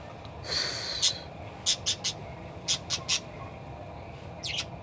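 A parakeet gives short, bright chirps and squeaky notes in quick bursts, some paired, over a steady background hiss.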